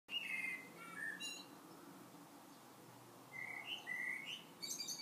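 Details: Common blackbird (Turdus merula), song.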